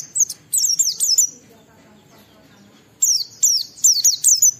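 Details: Clear, vigorous Oriental white-eye song in ngalas style meant to lure others into singing: two bursts of shrill, fast down-slurred whistles, roughly two to three per second, split by a quiet gap of nearly two seconds.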